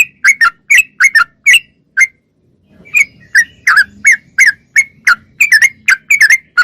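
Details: Sooty-headed bulbul singing energetically, recorded clear: short bright downslurred notes in quick bursts, a brief pause near two seconds, then renewed rapid chattering phrases, with faint low murmuring underneath.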